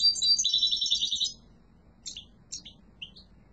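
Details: Song of a yellow mutation European goldfinch: one strong, rapid buzzy twitter lasting over a second, followed by three or four separate sharp chirps.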